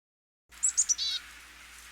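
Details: Black-capped chickadee (Poecile atricapillus) call: three quick, very high, thin notes followed by a harsher, buzzy 'dee' lasting a quarter second, with nothing else intruding.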